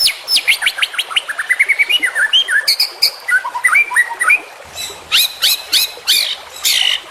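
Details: Rapid white-rumped shama song for training: a fast ladder of rising whistled notes, then wavering slurred whistles, ending in harsh, buzzy, broadband bursts repeated roughly every half second.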